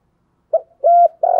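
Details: Spotted dove cooing in the 'giọng thổ' style, a 2021 lure for wild doves: a short clipped note, a steady hollow coo, then the start of a long rolling coo, cut off abruptly.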